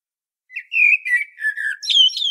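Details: Common blackbird song recorded on Medvednica Mountain, Zagreb, Croatia: a fluty phrase of smooth whistles, steady and then falling slightly, that ends in a brighter, higher squeaky twitter.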